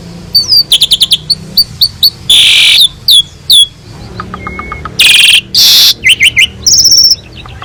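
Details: Asian pied starling gacor master song for training other songbirds: quick chirps and clicks interrupted by loud harsh hissing bursts, a thin sustained whistle, a soft series of ticks, then more chirps.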